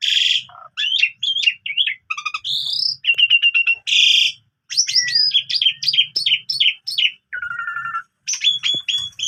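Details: Asian pied starling singing in the morning, a lively full song packed with varied phrases, offered as a tutor for young canaries: quick whistled and chattering notes, short trills and buzzy bursts, with brief pauses and a faint low hum.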